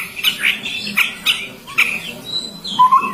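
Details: Chestnut-rumped babbler giving harsh squawky notes at a brisk pace, followed by a thin high whistle and a pair of short level whistled tones at the end.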